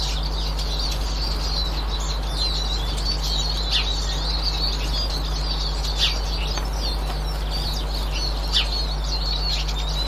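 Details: Eurasian siskin calling on 18 March 2024, a continuous thin twittering with occasional brief downward-slurred call notes standing out, set against a constant low-pitched hum.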